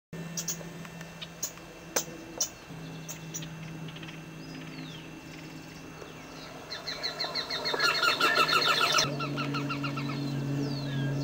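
A Silvery-throated Spinetail gives a fast, dry chattering run of high notes for about two seconds over a steady low hum and a few clicks.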